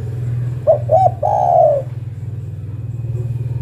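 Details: One coo phrase from a female zebra dove summoning a male: two clipped notes and a drawn-out coo, over a loud pulsing low engine-like drone.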